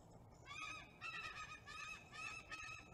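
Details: Bald eagle of a nesting pair at Kincaid Lake, Kisatchie National Forest, central Louisiana, in the early morning of 5 November 2021 during a bonding attempt: high, thin piping notes in bursts of three or four, about every half second, over soft hiss.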